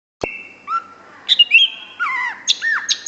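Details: Greater green leafbird song: long, flat, steady whistles at two pitches, then slurred notes that dip and fall, and a few short rising whistles, all separated by brief pauses.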